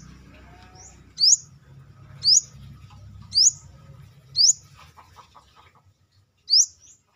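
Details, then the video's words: Outside the cage, a brown-throated sunbird gives five bright, piercing upslurred whistles about one second apart, then a longer pause before the last, over a low rumbling background hum. "KORLAP (Kolibri kelapa)Manggar gacor luar sangkar"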